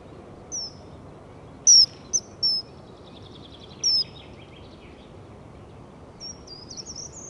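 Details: Male common kingfisher perched at a nest webcam in De Kluit, Leusden, Netherlands, 3 March 2011 at 07:30: a few shrill, high, piercing whistles, some slightly descending, spaced irregularly, with faint bird twittering and a low steady hum.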